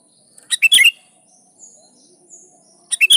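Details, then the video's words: Sooty-headed bulbul singing vigorously to call rivals, a lure meant to make wild bulbuls answer: a quick bubbly phrase of four or five bright notes, then a quiet gap and a second phrase starting; a faint steady high whine throughout. "Suara Burung Kutilang Gacor Memanggil Lawan || Kutilang liar nyaut dan GACOR"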